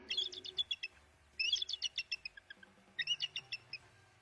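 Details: Bald eagle gives three bursts of thin, high chittering notes, each a rapid run of squeaky chirps that trails off, spaced about a second and a half apart, a repeating chirp.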